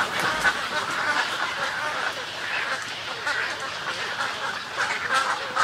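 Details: Snowy egret colony calls and greeting calls, an unbroken, busy chorus of throaty, scratchy croaks from numerous birds at even loudness throughout.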